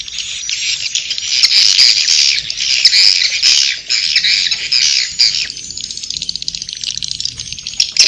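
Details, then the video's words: Roosting call of swiftlets in the Inap Ababil style: a thick, continuous wash of scratchy, high twittering that stays steady for several seconds, then thins to a fainter buzz. "Suara Inap walet"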